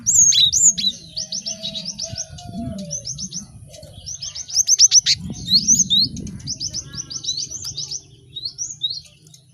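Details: Busy cinereous tit singing for caged-bird training: loud quick runs of sharp descending notes in groups, high whistled slurs between, over a low murmuring background.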